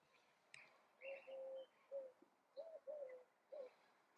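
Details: A Hawaiian goose (Nene, Branta sandvicensis) gives about six soft, low, mellow honks in four seconds, some flat and drawn out, others briefly rising then falling, with faint higher chirps behind.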